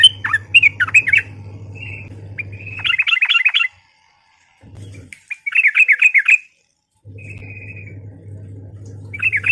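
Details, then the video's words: Sooty-headed bulbul calling to provoke others into fighting: separated bursts of lively chattering notes with short level whistles between, broken by quiet gaps, over an intermittent low hum. "Suara Trucukan Gacor Tarung Auto Nyaut Emosi Dengar Burung Trucuk Lain"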